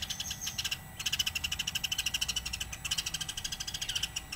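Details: Eurasian tree sparrow chirping: fast, high, dry chips, about ten a second, in steady bursts with a brief pause, over a low background hum.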